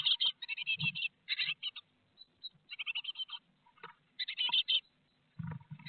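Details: Great tits at a nest box in Théding on 12 May 2021, during fledging, when eight young left within five minutes; bursts of rapid, scratchy chirps in quick clusters, with soft low thumps of movement between them.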